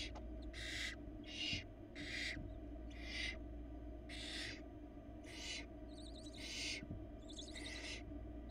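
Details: Four barn owl babies in a Florida nest, hatched February 2022, beg noisily while their mother feeds them a rabbit; a steady series of harsh hissing screeches, some mixed with rapid chattering clicks.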